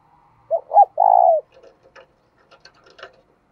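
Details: Decoy spotted dove cooing to attract wild doves: two short hoots, then a sustained mellow coo lasting about half a second. Afterwards come faint scattered clicks and light rustles.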